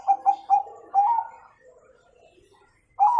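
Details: Bangkok zebra dove with a 'kung' tone, used as a master song for young birds: three clipped low coos and a drawn-out coo, a pause with faint chatter, then a new coo starts at the end.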